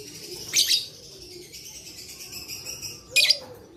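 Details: Lovebird voice used to stimulate lazy lovebirds to sing: two strong, harsh chirp bursts about two and a half seconds apart, joined by a thin, high, sustained whine between them.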